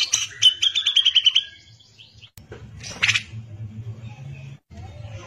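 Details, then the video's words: Caged cucak jenggot, the grey-cheeked bulbul, in gacor tutor song: harsh opening notes, then a fast trill of evenly spaced buzzy notes that fades away, followed by a single harsh burst and a low rumbling hum. "CUCAK JENGGOT GACOR BISA BUAT MASTERAN"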